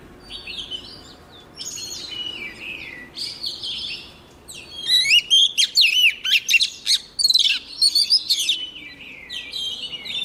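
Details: Female Oriental magpie-robin song meant to set a row of males singing hard: soft warbled phrases first, then a loud run of rapid, sharply rising and falling whistled notes from the fifth second on.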